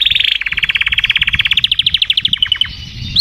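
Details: A canary's rolling trill of rapidly repeated notes gradually slows and rises in pitch, ending in a few spaced notes, over a steady low rumbling background.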